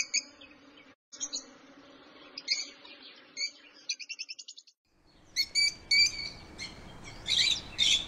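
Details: Lovebird chirping: short high notes and a quick rattling series over a steady low electrical hum, then louder, harsher shrill chirps against hissy noise.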